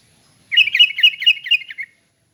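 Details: A longer relaxed 'ngeplong' song phrase from a sooty-headed bulbul, about a second and a half of chattering, evenly pulsed whistled notes, roughly eight beats, fading out at the end.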